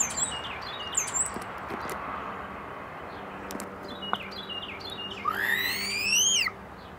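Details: Common starling, so near it pecked the lens, singing to attract a mate: scattered thin whistles and clicks, ending in a loud rising slurred whistle with harmonics; recorded on a Zoom recorder.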